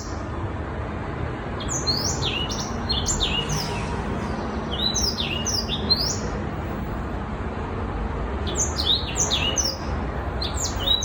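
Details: A six-month-old young black-throated canary sings in bursts of quick, high, sweet twittering notes with slurred chirps, pausing between phrases over a steady low rumbling background.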